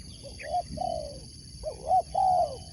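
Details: Spotted dove of the sport dove competition type: a short note, then a drawn-out falling coo, followed by a hooked note and another long slurred coo, clear against quiet background.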